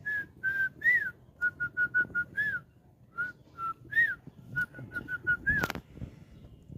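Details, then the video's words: Pet Lutino cockatiel taken onto the roof in the morning: a whistled phrase of level and arched notes, runs of short even pips, repeated twice, with a sharp click near the end and low background noise. "সকাল সকাল আমার Lutino Cockatiel কে ছাদে নিয়ে এলাম"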